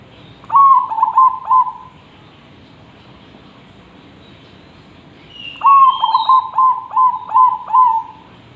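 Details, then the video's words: A persistently singing zebra dove, offered as tutor song for other birds, gives two bursts of quick rhythmic trilled coos separated by a long quiet gap; a brief higher whistle sounds near the second burst. "Perkutut Gacor,, cocok untuk masteran..!!!"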